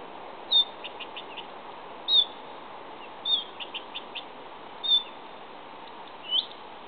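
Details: Blyth's reed warbler singing at Hedhult, Kristinehamn, Värmland, Sweden, dated 130625: short high chirping phrases, each a sharp note followed by a quick run of clicks, repeated about every one and a half seconds over steady low background hiss.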